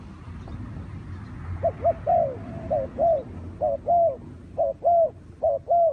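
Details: Spotted dove near a trapping site, starting after a quiet moment with short clipped coos, then settling into rhythmic pairs of brief notes and longer mellow coos, repeated at an even pace.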